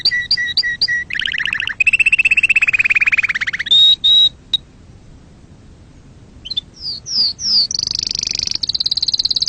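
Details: Singing canary, a song meant for teaching chicks and mating: opens with evenly repeated paired notes, then a dense lower rattling roll, a clear high whistle, a silent gap, rising slurred notes and a rapid high trill.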